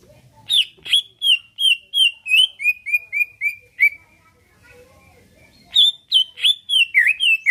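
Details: Captive greater green leafbird singing in a chatty, fight-provoking style: a long series of bright downslurred whistles repeated about three per second, a brief pause with faint low rustling, then another rapid burst of sharp whistled notes.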